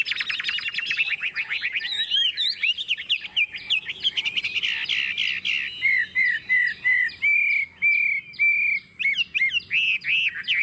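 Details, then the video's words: Chinese hwamei, a kept bird with a forest-type voice, in a long 'ngũ trường' song: opening rapid buzzy trill, then varied warbling, then a run of evenly repeated clear whistled notes, each slurred slightly downward. "Ngũ trường, Dài ngoằng, Chất giọng rừng ko lẫn vào đâu đc"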